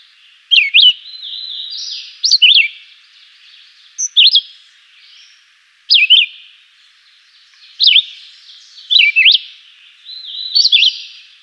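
A Chivi Vireo sings short, sweet whistled phrases of quick rising and falling notes, about one phrase every two seconds, over a soft high hiss.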